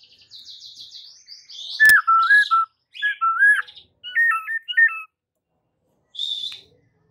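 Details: A white-rumped shama sings to provoke rivals, opening with a quick buzzy trill, then rich fluting whistled phrases with wavering pitch, a sharp click, and a final short high note after a pause.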